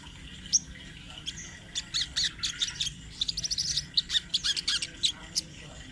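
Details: Rolling, energetic sunbird song meant as a master recording for training birds; rapid high-pitched chirps quicken into a fast stuttering trill before breaking into separate sharp notes.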